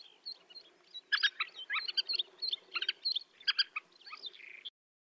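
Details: Black-winged pratincoles in flight over the Astrakhan steppe, Russia, April 2017, giving a run of clipped, chattering and tern-like notes, irregular and overlapping, with faint background calls.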